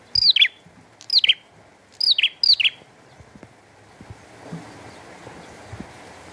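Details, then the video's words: Prinia singing with rain: four sharp notes sweeping downward, each ending in a brief buzz, in quick succession, then only soft background noise. "Burung Prenjak Gacor & Air Hujan"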